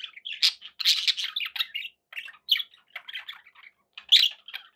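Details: Several pet budgerigars warble and squawk in dense, buzzy phrases, the busy opening second giving way to looser bursts of chirps and scratchy notes.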